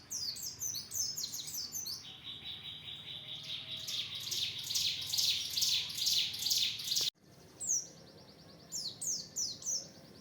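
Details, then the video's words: Oriental white-eye giving an open-beak (buka paruh) training song: a dense, rapid stream of high, sweet twittering notes running for about seven seconds, a brief silence, then further short bursts of high chirps. "masteran pleci buka paruh"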